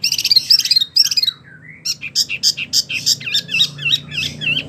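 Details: Vigorous wambie mini singing as a tutor for competition birds: dense trilled chattering, a short dip, then a lively series of squeaky wavering whistles repeated several times a second over low background noise.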